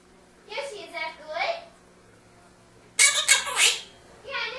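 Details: Quaker parrot in Maryland talking indoors, mimicking human speech with phrases like "Nice to meet you" and "That's pretty good"; two short bursts of chattering, speech-like syllables, the second louder and harsher, in a small quiet room.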